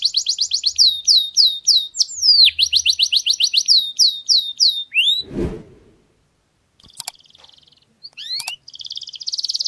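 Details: Canary singing error-free tutor song to teach chicks: rapid repeated downslurred whistles and a fast trill, then a sharp knock or thump and a pause, followed by brief high notes and a renewed buzzy trill.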